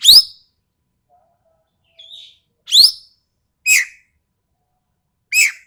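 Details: Coarse, piercing calls from an ekek keling of Sumatra: single rasping upward-sweeping notes alternate with drooping ones, irregularly spaced, with a faint soft note in between.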